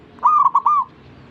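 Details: Zebra dove, singing to draw other zebra doves into song: a single short phrase of four or five quick, rolling, fluting coo notes on one mid pitch.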